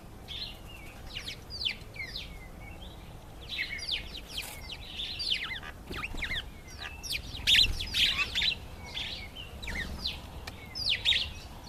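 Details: Karoo thrush displaying to impress females: dense bursts of bright chirps and short whistled, sliding notes, loosely grouped into clusters that swell and fade over the clip, over a low steady background hum.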